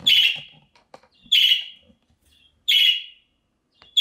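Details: Budgerigar calls intended to bring a lost bird back: three loud, grating chirps about every 1.3 seconds, with light clicks and faint rustling in between.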